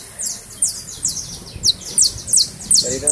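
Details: Criollo canary singing while held in the hand in Valencia: high, fast, descending chirped phrases repeated several times a second, with men talking in Spanish throughout.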